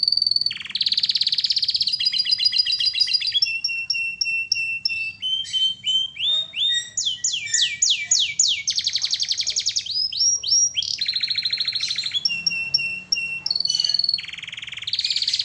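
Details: Canary singing for masteran use, a long varied song: rapid trills, steady whistled notes, swooping repeated slurs and rolling phrases, changing every second or two with barely a pause.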